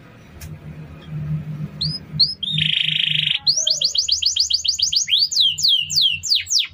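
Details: Canary master song for training other birds, beginning quietly with a few short notes, then a loud buzzy roll, a fast trill of repeated rising notes and several swooping whistles, over low background noise.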